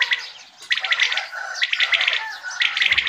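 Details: Quails calling in the morning, hunting season; sharp three-part pulsed bursts repeated about once a second, high and clipped, with a faint chirping background.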